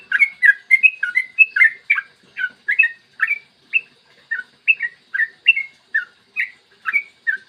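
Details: Yellow-vented bulbul singing clearly in the morning to spur other bulbuls to sing: rich warbled two-part whistles, rising then dropping, repeated about every third of a second with short gaps.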